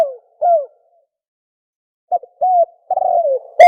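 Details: Spotted dove cooing fast in the thổ còi style, two falling coos, a one-and-a-half-second gap, then a quick burst of clipped notes and a wavering drawn-out coo.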